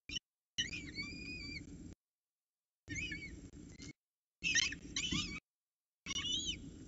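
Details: At the Orange CSU nest, 26 October 2019 around 7 am, peregrine falcon chicks are fed by the female. Bending, whistled high squeals and rapid chirps sound in four separate bursts over low rumble.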